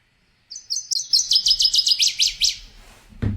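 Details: A Northern Waterthrush sings in a swamp to mark its territory against other waterthrushes. Its loud, ringing three-part song runs "sweet sweet sweet, wee wee wee, choo choo choo": high sweet notes quicken into sharp, downslurred chips, ending abruptly with a low thump.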